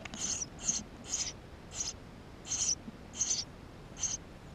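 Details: High, shrill chirps from Eurasian tree sparrow young inside their nest, recorded by GoPro: seven buzzy notes, some doubled, coming about every half second against low background hiss.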